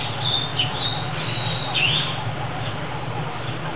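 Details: Month-old Senegal coucal chicks, rescued at about three days old when their nest was destroyed; high, thin, slightly rising squeaks come twice in quick succession over a low droning background.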